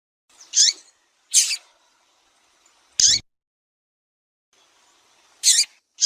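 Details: Calling female double-collared seedeater, whose cries are used to stimulate males among Brazilian breeders. Brief, high, piercing chirps come in an uneven series, about five in six seconds, with a soft hiss between some of them.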